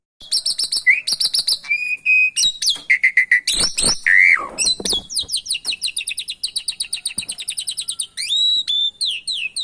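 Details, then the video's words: Javan pied starling, training recording overlaid with canary song to draw out reluctant singers: bright trills, steady whistles and sharp slurred notes give way to a long, rapid, rhythmic chatter of repeated high notes. "Masteran jalak suren gacor isian Kenari !! Ampuh pancing burung jalak suren males bunyi"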